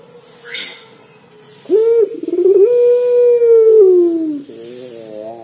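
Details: Local collared dove, loud bird kept as a lure for other doves: after a quiet start, a rising note and rapid pulses lead into a long, low, even coo that sinks at its end.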